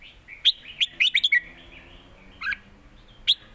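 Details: Caged red-whiskered bulbul singing contest, phrase for phrase in the southern master-pattern song: a rapid run of five or six sharp liquid notes, then two isolated chirps after a pause.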